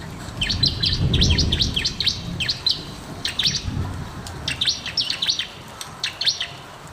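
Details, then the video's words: Bar-winged prinia singing vigorously, a master recording for encouraging non-singing birds: clusters of sharp, high, down-slurred chirps delivered about three per second, uneven and bursty, with a low rumbling noise early on. "masteran burung ciblek"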